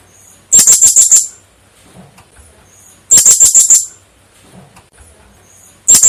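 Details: Shrill, high stuttering bursts from a female blue-crowned hanging parrot, each of six fast pips, repeated about every two and a half seconds in an otherwise quiet setting.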